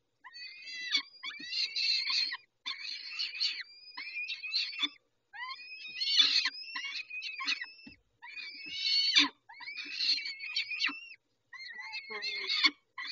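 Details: Peregrine falcons calling at Dobra during the 11:48 feeding on 19 May 2021: a persistent run of shrill, scratchy wails and rising squeals in bursts of one to two seconds.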